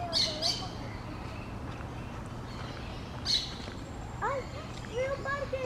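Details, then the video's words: Green parakeets; one outcast bird trying to communicate with a flock. Harsh, high, grating squawks come in short bursts near the start and again after three seconds, followed by thinner chirps from other birds over a steady low hum. "PERICOS VERDES un desterrado intentando comunicarse con una pardada"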